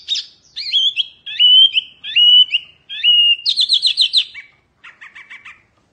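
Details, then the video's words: Oriental white-eye of the wambi mini type in fierce, energetic song used for tutoring cage birds: high chirps and short rising whistles, then a quick trilled burst and a softer buzzy chatter at the end. "Kicauan OK wambi mini GANAS bagus untuk masteran"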